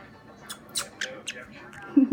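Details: A 9-year-old pet Pacific parrotlet makes cuddly noises while accepting beak pets: five soft, quick, scratchy chirps spaced irregularly about a quarter-second apart; a brief low human voice follows at the end.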